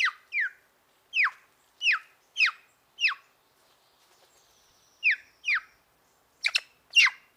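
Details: Black-throated magpie-jay giving a loose series of short, harsh, steeply down-slurred notes, about ten in seven seconds, spaced roughly half a second apart with a brief pause midway; the last two are louder and more ragged, and the background is quiet.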